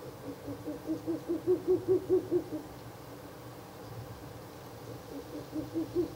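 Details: Ural owl at a nest box at night on 16 April 2024, the third night of nest visits: a rapid run of about ten low hoots that swell louder, then a fresh short burst begins at the end.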